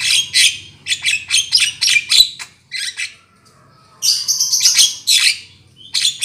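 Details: Black-winged myna lure sound for bird trapping: bursts of rapid, rasping chatter notes, a short silent gap, then a loud strident squawking volley.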